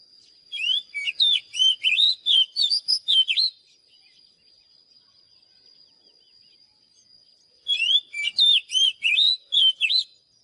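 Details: Oriental magpie-robin singing two separate phrases of quick whistled and chirped notes, each about three seconds long, with a long quiet gap between them and a steady high tone throughout.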